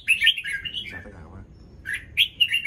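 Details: A red-whiskered bulbul, newly moulted, greeting the morning with a quick rolling warble, brief pause, then another lively phrase, low background hum throughout.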